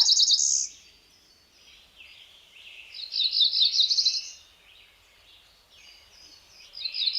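Cerulean Warbler song: high, buzzy phrases of quick notes ending in a rising buzzy trill, repeated three times over a faint background hiss.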